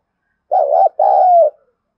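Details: Highly aggressive contest cooing by a spotted dove with a thổ voice. One clear double coo: a short undulating note, a brief gap, then a sustained note sliding slightly downward.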